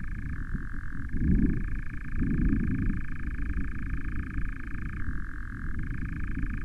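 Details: Three nightjars interacting at an osprey nest camera site on 09/07/20; a steady, continuous mechanical churr shifts abruptly between two pitch levels, over constant low rumbling noise.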